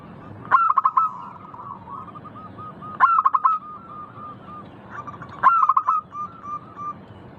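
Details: Melodious local zebra dove repeating its song about every two and a half seconds, each phrase a quick burst of sharp clipped coos running into a softer, wavering chain of even notes.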